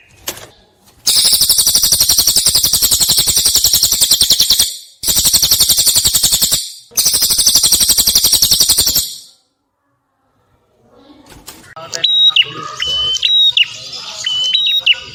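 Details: Clear-voiced cililin prinia recorded as a master to teach songbirds: three long, loud, harsh buzzing trills of rapid ticks, a pause, then high, thin, level whistles mixed with soft chatter.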